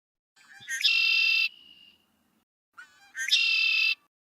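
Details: A Red-winged Blackbird, a common local year-round bird found in many habitats, gives two conk-la-ree phrases: a few stuttered lead-in notes, then a harsh buzzy trill; the first trails off in a thin whistle.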